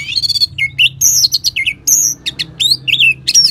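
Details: Orange-headed thrush (anis merah) song used as a training sound to coax other birds into singing: rapid, varied high phrases of sliding whistles, buzzy trills and sharp chirps, tumbling out almost without pause.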